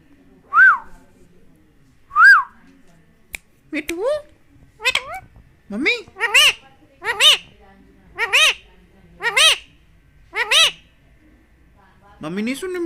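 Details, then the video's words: Talking Indian ringneck parakeet: two clear whistled notes, then a run of about eight short, rising, harmonic-rich speech-like syllables at roughly one per second, ending in a low rasping phrase; quiet room, no other sounds. "Talking Parrot very smart"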